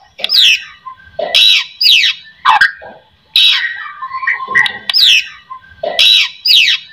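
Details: Murai batu, the white-rumped shama, in lure song meant to get other shamas singing: harsh squawky bursts alternating with steep descending whistles, repeated in uneven phrases roughly every second.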